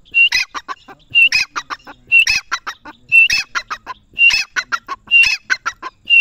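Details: Grey francolin calling loudly, a repeated harsh phrase: a sharp high opening note followed by several rapid clipped notes, the whole phrase recurring about once a second.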